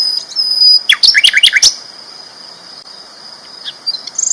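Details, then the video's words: Loud, lively sikatan londo flycatcher, a champion tutor bird, gives a short second-long flurry of high, sharp, slurred chirps, then falls quiet against a constant thin high-pitched hum. "BURUNG SIKATAN LONDO GACOR ISTIMEWA KERAS LANTANG MASTERAN BURUNG JUARA"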